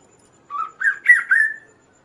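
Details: Energetic kaso-kaso song, a recording for tutoring birds and luring others: four whistled notes climbing in pitch, the last one drawn out and falling, with nothing else audible.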